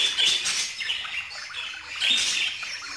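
Budgerigars keep up a steady high chatter of scratchy warbles and quick chirps, with louder bursts at the start and again about two seconds in.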